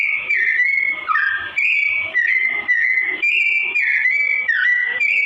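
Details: Yellow-vented bulbul singing in a slow tone, used as tutor song for training straw-headed bulbuls; a steady stream of clear, slightly warbling whistled phrases, each about half a second, sliding up and down, with almost no pauses.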